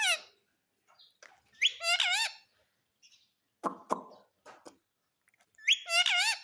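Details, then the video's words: Pet Indian ringneck parakeet, said to say mummy and papa, utters short wavering harmonic phrases at start, middle and end, with sharp clicking knocks in between. "मम्मी पापा बोलने वाला मिट्ठू || Ringneck talking parrot mitthu"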